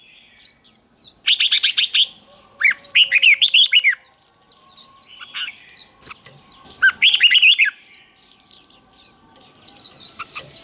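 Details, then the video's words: Red-whiskered bulbul song used to train birds for singing contests: bursts of loud, rapid, rising-and-falling whistled notes alternate with high, quick chirps, several bouts over about ten seconds, possibly more than one bird. "Chào mào hót đấu"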